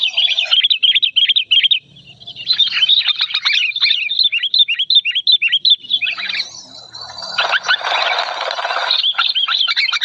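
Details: Loud, clear, emotional outpouring from an old sooty-headed bulbul: rapid chattering whistles repeated almost three per second, interrupted midway by a rush of harsh broadband noise, then the chatter resumes.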